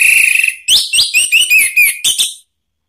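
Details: Provoking song of an orange-headed thrush: a rapid trilled whistle, then a string of quick swooping notes, upslurred and downslurred, in close succession. The phrase ends abruptly with no other sound.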